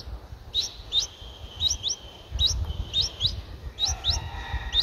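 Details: Nine-day-old Streak-eared Bulbul nestling, eyes opened at seven days, at Ubon Ratchathani, Thailand, on 11 April 2023. It gives short, sharp, upslurred chirps in rapid irregular bursts, some paired, over a faint low rumble.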